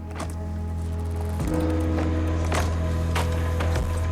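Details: Music with a heavy bass line and sharp, regular percussive beats plays throughout, and no animal is heard.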